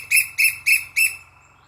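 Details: Asian koel calling: four loud, harsh, strongly harmonic notes in quick succession, about a quarter second apart, with a faint low hum underneath.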